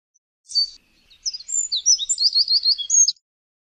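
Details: A Eurasian wren delivers a quick, high-pitched phrase: one sharp opening note, a brief gap, then about two seconds of rapid, ringing twitters and squeaky slurred notes ending abruptly. Nothing else heard.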